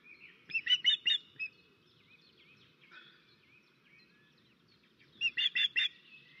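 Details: Alarm calls of an osprey on an Estonian nest, 13 May 2024, during a crow attack: a rapid series of shrill whistled yelps, then a quiet stretch with faint slurred notes, then another burst of four or five piercing notes near the end.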